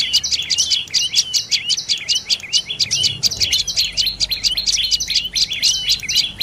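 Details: Dark-necked tailorbird calling in a rapid, steady series of sharp, high chipping notes with quick upward flicks, about five or six per second, kept up without a break; faint low rumble underneath.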